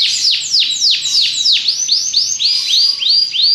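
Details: Belgian canary singing: a steady series of bright, high, downward-sweeping whistled notes, about three or four each second, with a thin sustained tone running beneath them.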